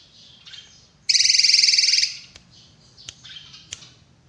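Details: Drongo delivering one loud rattling buzz about a second long. Faint scratchy notes come before it, and a few soft clicks and ticks follow.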